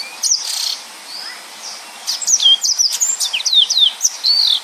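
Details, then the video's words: Yellow-fronted canary performing its full, tightly packed 'nembak' song, kept as a tutor recording for other birds. Soft opening notes lead into a quick cascade of bright, slurred high whistles and chirps. "Burung Mozambik Gacor||Suara Nembak Full Rapet"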